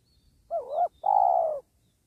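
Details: Spotted dove cooing while wild doves are trapped beside a sacred tree: a short wavering note, then a longer steady low coo, loud and clear against near silence.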